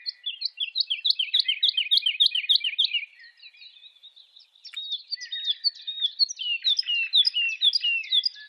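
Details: Woodlark singing as it climbs in a wavy song flight: bright, high fluting notes repeated quickly in a rolling series, a softer twittering passage in the middle, then another lively run of descending notes.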